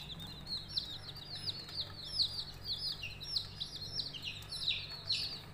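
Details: Coloured budgerigar chicks chirping together, a dense run of short, high, downward-sliding chirps that overlap almost continuously, with a low steady hum underneath.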